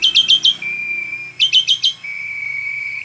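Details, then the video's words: Asian pied starling singing vigorously for use as a tutor recording: a quick run of four sharp chirps, then a long steady whistle, then the chirp run and the drawn-out whistle again, over a faint low hum. "mainan jalak suren dulu"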